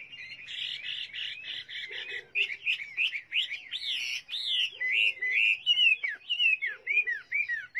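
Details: Chinese hwamei song: a buzzy repeated phrase, then loud, varied whistled notes that swoop up and down in quick succession, with a few soft low chatters in between.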